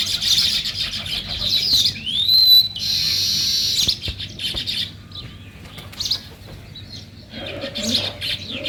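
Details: Sparrows chattering in the morning, with loud overlapping chirps and a rising whistled note early on, a quieter gap in the middle, and renewed chirping toward the end.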